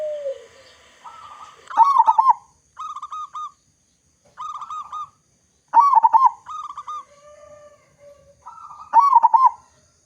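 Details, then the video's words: Big-voiced local zebra dove sings as a lure to make other zebra doves call: repeated bursts of rapid rolling coos, alternating with shorter clipped note series and low hums, every few seconds. "Perkutut Lokal Gacor Suara Besar Cocok Untuk Pancingan Semua Jenis Burung Perkutut Agar Cepat Bunyi"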